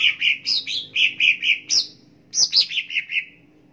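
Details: Song of a cucak ijo for training: loud, rich whistled notes in quick succession, rising flicks mixed with steady falling phrases, a short pause, then another burst trailing off into quieter notes.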